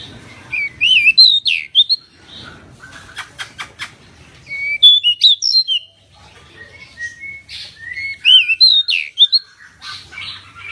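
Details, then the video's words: Pied bushchat singing energetically on a bird-training recording: repeated phrases of looping, warbling whistles mixed with dry clicking ticks, about three phrases with short gaps between. "Burung decu gacor"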